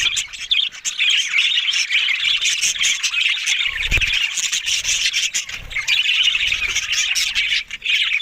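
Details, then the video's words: Pet budgerigars warble and squawk in a steady, scratchy chatter of overlapping chirps, with a brief low knock midway and short dips in loudness. "Beautiful Talking Budgies Australian Parrot Sounds"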